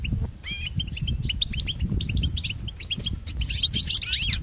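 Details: European goldfinch singing for training pets, quieter sequence of upslurred whistled notes and sharp chirps, ending in a rapid tangle of twitters, with a prominent low rumble underneath.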